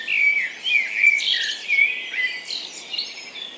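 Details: Common blackbird singing at dawn in a garden in Hampshire, UK, on 3 May, among a busy chorus of robin, dunnock, wren, carrion crow and woodpigeon. Dense, overlapping high twittering and whistled phrases run continuously without pauses.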